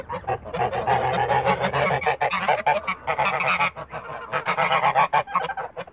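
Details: Backyard flock of Toulouse geese honking almost without pause, with rough, nasal honks tumbling over one another and brief gaps between bursts.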